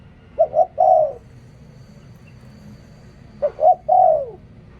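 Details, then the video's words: A decoy spotted dove sings two phrases separated by a long pause. Each phrase has two brief coos and a longer, falling coo. A faint low background hum runs underneath. "เสียงนกต่อ นกเขาใหญ่"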